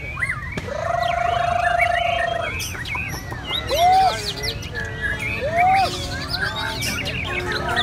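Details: Red-whiskered bulbul song with a long steady whistled note followed by short arched whistles, set among a busy chorus of chirps and twitters from other birds.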